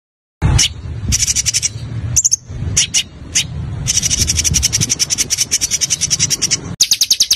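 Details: Small songbird used as a tutor recording for training caged birds in Indonesia: rapid, tightly packed high chirps and trilled bursts, repeated several times a second, over a steady low rumbling background.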